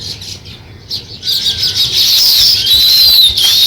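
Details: Sparrow chirping while beginning nest building: quiet scattered chirps at first, then a loud, busy high-pitched chatter with thin whistled strands over it.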